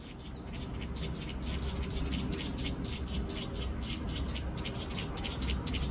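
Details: Eurasian nuthatch (Sitta europaea) in Tivoli landscape park, Ljubljana, on 29 August 2024, giving short, sharp, high notes in quick series, several each second, over a steady low background rumble.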